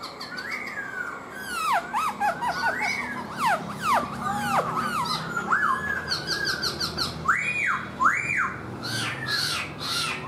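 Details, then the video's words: A tame black-throated laughingthrush in a cage sings while dancing, tail fanned: a long, varied, energetic medley of swooping whistles, sharp chips and arched, ringing phrases. "KHƯỚU BẠC MÁ HÓT MÚA ĐỈNH CAO - ĐUÔI XÒE NHƯ CÁI QUẠT"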